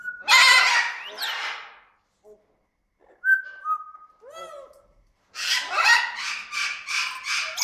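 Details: An orange-winged amazon (Venezuela amazon), sitting about 10 m from the recorder and whistling contentedly, gives a harsh, raspy squawk, then a few clear mid-pitched whistles, some sliding down, before a run of rhythmic, grating chatter.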